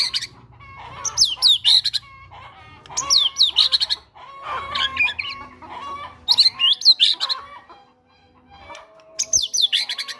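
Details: White-rumped shama kept in a cage, singing a prompting song with mimicked Java sparrow notes; repeated two-second bursts of high chirps and falling whistles, separated by short gaps, with a low hum.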